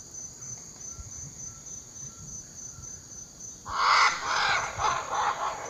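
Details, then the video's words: Great Green Macaw calling in Costa Rica. After a quiet stretch with a steady high insect whine, a burst of loud, grating, broadband squawks erupts and continues in rough pulses to the end. "Great Green Macaw"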